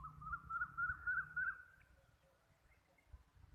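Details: Black francolin in Sindh, Pakistan: a short run of five clear, slightly rising notes in quick, even succession, followed by quiet background with low rumble.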